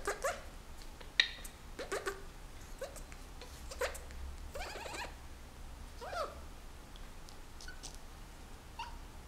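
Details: Pet Senegal parrot during breeding season courting its owner's hand indoors: a run of short squeaky chirps and clicks, some rising, others dropping, with brief scratchy bursts spaced irregularly over a low steady hum.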